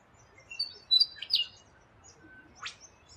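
Rainbow lorikeet giving a quick burst of thin, high chirps, then one sharp upward-sweeping screech, over a quiet low hum.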